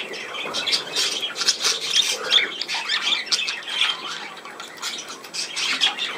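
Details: Budgerigar chatter from 17 November 2024: rapid, grating squawks and clicks in quick bursts, several per second, with thin high chirps woven through a busy, unbroken warble.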